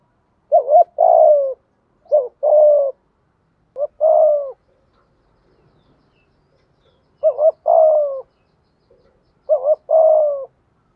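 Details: Spotted dove cooing in repeated phrases to call in wild doves: five rounds of low, hollow coos, each a short quavering note or two followed by a longer, falling coo, spaced about one to two seconds apart.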